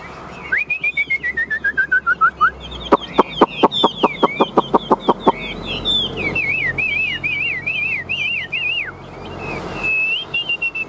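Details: Caged Chinese hwamei in competitive fighting song, fanning its tail and flicking its wings: a falling run of clear whistled slurs, then a burst of rapid sharp clicks, ending in quick wavering warbled whistles.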